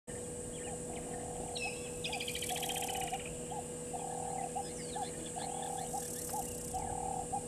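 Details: Burchell's starlings in a tree by Gowrie dam waterhole, Djuma Game Reserve, Sabi Sand Wildtuin, South Africa, at 15:00 on 12/11/2022; a harsh, grating, buzzy churr about a second long, with short twangy notes and a steady repeated low hooting note behind.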